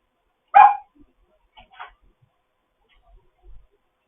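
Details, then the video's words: Grey parrot in foster care, chatting in the morning: one loud, harsh, rasping squawk lasting a fraction of a second, then a few soft, short murmurs in an otherwise quiet room. "having a morning chat"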